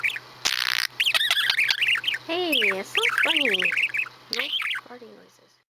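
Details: A pet male budgie imitates farting noises. A short harsh hissing burst opens the recording, followed by wavering warbled chatter with deeper buzzy, gurgling notes, then the sound fades.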